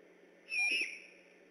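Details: Night recording of a great horned owl on alert near the Decorah eagle nest, 3 October 2015; one short hoarse screech carrying a thin, slightly wavering whistle, with low steady hiss behind.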